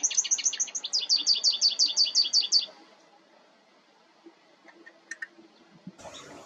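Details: American goldfinch song with a crisp, evenly spaced series of high, bright twittering notes for nearly three seconds, then quiet with faint chips and a brief burst of noise.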